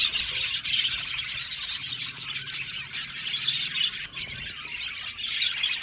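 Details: An aviary colony of roughly 70 pairs of budgerigars makes busy, high chirping and rapid twittering, with many birds calling at once in a thick, unbroken chorus and sharp bursts of clicky notes early on.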